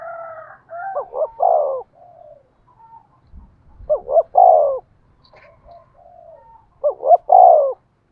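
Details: Spotted dove used as a decoy to stir other doves into cooing: three low phrases of two short wavering notes and a long coo, about every three seconds, with soft quieter calls between.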